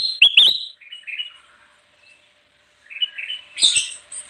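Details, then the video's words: Bulbul (kutilang emas) used to lure wild birds, opening with two sharp chattering notes and a whistled phrase, then a pause before another bright burst of song. "suara burung kutilang emas gacor cocok banget buat pikat"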